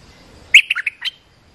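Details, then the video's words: A single quick phrase of an olive-winged bulbul, five or six bright, clipped notes tumbling within half a second; the call is used to train young birds and attract wild ones. "เสียงนกดอกแตงEp.248 เปิดหัดลูกเสอ ลูกใบ้ เสียงเรียกนกป่า Suara pikat merbah lekir gacor"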